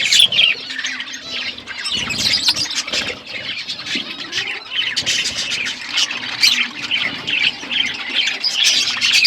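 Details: Pet budgies chirping as they eat, many birds calling together in a steady stream of squeaky warbles and harsh squawks, with light rustling.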